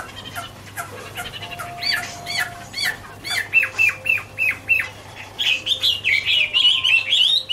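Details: Autumn song of a Chinese hwamei (Garrulax canorus): short harsh notes and upward-curving whistles repeated several times a second, ending in a rising rapid warble of looping whistled notes.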